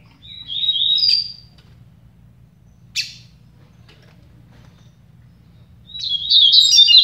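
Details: Song contest between two double-collared seedeaters: a brief high twittering phrase, a single sharp click-like note, a long silence, then a dense, rapid burst of high chirping trills; faint low hum throughout.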